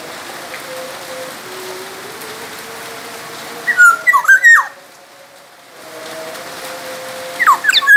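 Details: Masteran song of a black-naped oriole from Sumbawa, meant for teaching other songbirds: a faint hum, then one rich whistled phrase with a harsh downward ending, and the start of another near the end.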